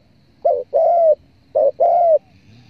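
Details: Spotted dove coos, offered to hunters as a lure: two phrases, each a short low note and then a long even coo, clear over faint background noise.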